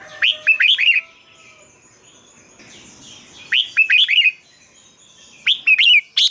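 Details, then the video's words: Red-whiskered bulbul song used as a decoy or played to rouse caged birds, three phrases of rapid, sliding whistled notes, each about a second long, with quiet gaps between. "เสียงนกกรงหัวจุก สำหรับต่อ หรือ เปิดให้นกคึก เสียงเพราะๆ"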